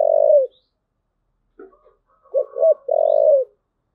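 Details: Low, hollow thúc gù cooing of a spotted dove: a sustained hoot, a pause with soft muttering, then two quick notes and another long, even coo.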